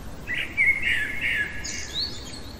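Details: Common blackbird singing in the middle of the night: a short warbled phrase of mellow notes, then higher squeaky twittering at the end, over a faint steady background hiss.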